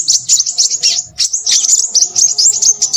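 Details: Sharp, high-pitched chirps in quick succession from a Crimson sunbird, then a denser, squeaky twittering run.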